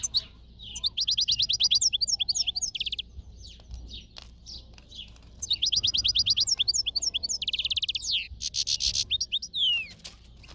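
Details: European goldfinch singing: rapid, tinkling twitter of high sweet notes in quick runs, mixed with buzzy trills and sliding whistles, in two long bursts split by a brief lull, with faint clicks in the background.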